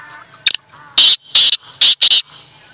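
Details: Black francolin calling: a short sharp opening note, then four loud, harsh, grating syllables in a quick rhythmic phrase lasting under two seconds, against a quiet background.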